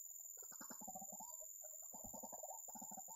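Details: White-breasted waterhen, known locally as ruak-ruak, filmed at a bird-trapping site: rapid bursts of low croaking, clucking notes, a dense run of about a second followed by a short pause and then two more quick runs.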